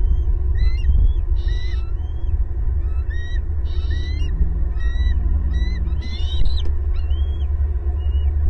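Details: Bald eagles, adult pair with two eaglets at their Southwest Florida pasture nest tree, 18 April 2022, calling loudly as a family chorus: repeated high whistled chitters and piping notes, rising then falling, over a constant low rumble.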